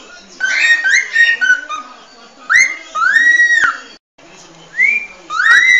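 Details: Cockatiel singing, used for teaching a cockatiel to sing: clear whistled phrases, some rising then held and falling, in short bursts separated by brief pauses, indoors.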